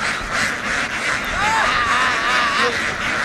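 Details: Vietnamese laying ducks, a flock hurrying across a field toward a boat; a few clear nasal quacks arching up and down in quick succession over a constant wash of engine and crowd noise.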